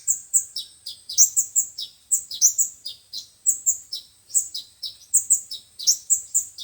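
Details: Sunbird song, described as from five-colour and seven-colour sunbirds, played as a speaker lure for trapping birds: rapid, very high, sharp chirps and short descending twitters in dense irregular bursts, roughly fifty per minute, with no other clear sounds.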